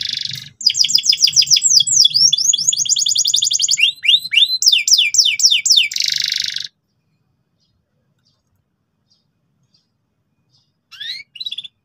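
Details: Loud, insistent canary singing so young canaries pick up the ngeriwik sound: a buzz, a long fast trill of falling whistles, sweeping slurs and a harsh buzz over six seconds, then silence and a brief final phrase.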